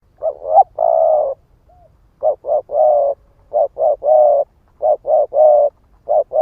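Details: Spotted dove of the 'ức chẻ' type, cooing to rouse and lure other doves: low, hollow coo phrases, each a few short notes ending in a longer drawn-out coo, repeated steadily with brief pauses in a quiet setting.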